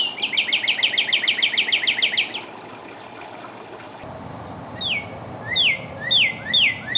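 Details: Northern cardinal song opening with a rapid trill of about fifteen short falling notes, then after a pause a few slower, longer downslurred whistles with a low outdoor hum behind.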